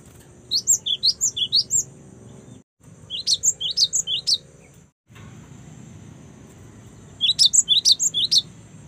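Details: A young cinereous tit in full song gives three rapid runs of roughly eight piercing high notes. The notes alternate rising and falling, and the runs are separated by pauses of a couple of seconds. There are brief dropouts and a constant faint hiss.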